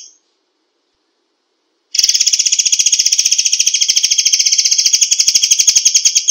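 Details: A short high note, a pause, then a white-rumped shama fires a long 'tembakan rapat' sequence: rapid, evenly spaced, buzzy high notes running steadily for over four seconds.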